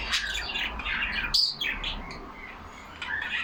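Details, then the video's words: Caged budgerigars chattering, a burst of grating warbles and rising squeaky notes, one sharp high whistle, then quieter twitters and a last scratchy chirp. "Lovely parrots talking among them."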